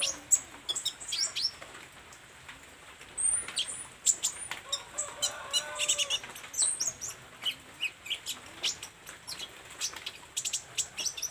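Olive-backed sunbird chattering in a rapid stream of thin, very high chips and quick sweeping whistles, with brief lower warbled notes midway and faint fluttering.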